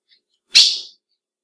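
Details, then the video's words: One short, raspy, sneeze-like chip from a female ultramarine grosbeak, the call that excites males, fading quickly into silence. "PIADO DE AZULÃO FÊMEO Para Esquenta qualquer Azulão!"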